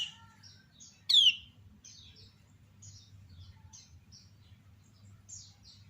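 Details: A single sharp, descending ciak chirp from a female kecial kuning, a lemon-bellied white-eye, set among many faint, short high twitters from other kecial answering around her.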